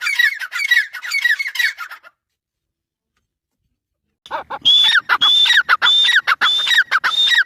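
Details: Irani teetar, the grey francolin, calling in loud harsh repeated phrases, each ending in a high clear whistle. The calling runs for two seconds, breaks off into two seconds of silence, then resumes in a steady rhythm.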